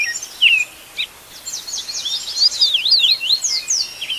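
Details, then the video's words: Dawn chorus of wild birds recorded live in nature: a few sharp separate chirps open, then a dense burst of quick zigzagging high whistles and tweets builds toward the end. "pássaros cantando ao amanhecer"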